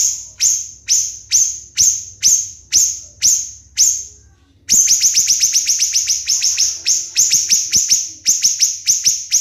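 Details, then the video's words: Siri-siri bird singing sharp, shrill downslurred notes in a tight rapid series, slower at first, then after a short gap a denser burst of fast repeated shots; a training recording for contest songbirds. "MASTERAN BURUNG SIRI SIRI GACOR TEMBAKAN RAPAT"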